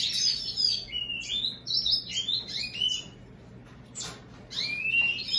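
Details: American goldfinch crossed with European greenfinch delivers a lively warbling song of bright tinkling chirps and short slurred whistles in rapid phrases. A brief quieter gap comes near the middle before the twittering resumes, with a soft steady hum underneath.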